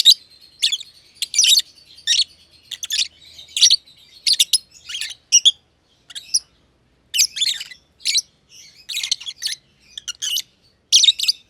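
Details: Pair of aviary lovebirds, green personata and green pied personata, chirping steadily: sharp, scratchy high notes delivered in clipped bursts, sometimes doubled, with short silences between groups.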